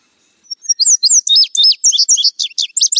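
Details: Indigo bunting (Passerina cyanea), song.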